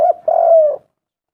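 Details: Spotted dove used as a lure: a short clipped coo running into a longer, steady, slightly falling mellow coo, then silence.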